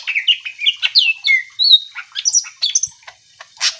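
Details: Energetic song of a greater green leafbird, meant to stir other birds to answer: rapid mix of rising and falling whistles, chirps and buzzy squawks, packed closely with few pauses.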